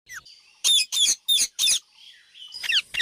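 A parrot gives harsh, buzzy chirps, four loud bursts in quick succession followed by a softer, scratchy run of squawks. No other sounds stand out.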